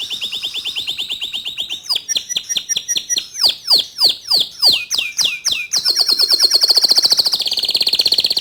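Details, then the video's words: A white local canary sings a steady trill, then a fast series of down-sweeping notes, then a high sustained rolling trill. "Kicau Kenari Lokal Warna Putih Suaranya Mantul"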